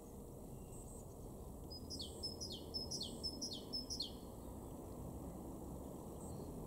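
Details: Great tit singing in a garden in Weener, East Frisia, Germany, in March 2023: a run of about five high, sharp, downward-sweeping notes repeated twice a second, over a low steady background hum.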